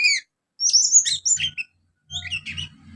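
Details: Young Oriental magpie-robin mimicking house sparrow calls: short harsh chirps and chattering notes in bursts separated by pauses, with a faint low hum under the later bursts.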